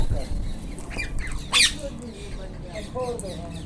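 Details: Wild Indian ringneck parakeets calling in the open: one sharp, loud, grating screech stands out among softer chattering notes, with low background noise throughout.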